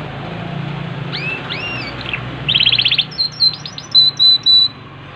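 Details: Yorkshire canary, show-posture type, singing: two slurred rising-falling whistles, then a rapid buzzy trill and a series of short clipped high notes repeated about every third of a second, with low background hum.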